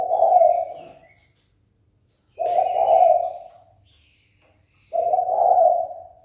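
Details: Spotted dove calling to spur another male to fight: three drawn-out low coos, one roughly every 2.5 seconds, each about a second long, with a few faint high chirps from other birds between them.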